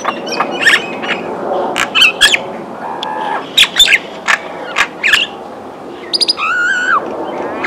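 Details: Common myna in Kashmir giving a jumble of harsh squawks, clicks and sharp whistles, ending in a drawn-out gurgling note, over a busy background chatter.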